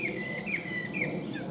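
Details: A common blackbird sings mellow, fluty whistled phrases with slight rises and falls inside a woodland near Widford, around four in the afternoon on 23 June 2022, over steady woodland hiss; a song thrush may also be singing.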